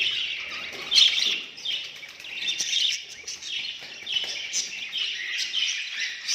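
Budgerigars chatter with a steady stream of thin, high chirps and warbles.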